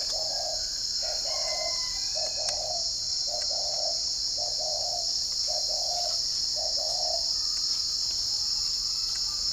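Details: Morning cooing of a spotted dove at a bird garden in Ba Vì district, Hanoi, Vietnam. About eight soft, low, mellow coo notes come in an uneven run, with a constant shrill insect chorus above.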